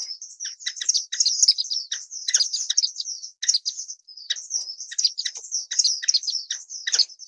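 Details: Orange-cheeked waxbill (Estrilda melpoda) giving a steady stream of thin, high chirps and short twittering notes, run together almost without pause over seven seconds, against an otherwise quiet background.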